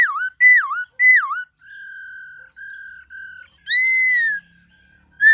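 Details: Laughingthrush in varied wild-voice song meant to spur young birds into singing: three looping swooping whistles, a run of soft level whistled notes, then a long loud falling note.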